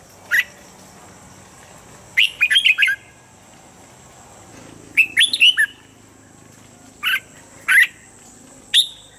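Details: Morning training song of a Red-whiskered bulbul, a standard voice for caged birds: brisk clusters of bright whistled notes, some phrases of three or four quick notes, others single or paired, spaced a few seconds apart over a faint steady hum.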